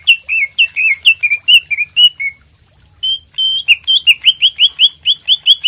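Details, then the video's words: Green leafbird master song for coaxing a reluctant bird to sing, made of rapid strings of bright whistled slurs. One loud phrase, a short pause, then steady repeated clear notes at about three per second. "masteran cak ijo gacor buat pancingan macet bunyi"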